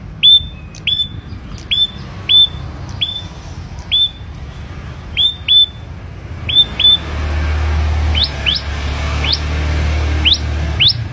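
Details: Ashy prinia raised by hand from young, singing in captivity: crisp downward-hooked notes repeated in a steady series, then a run of thinner rising notes as a low hum grows louder.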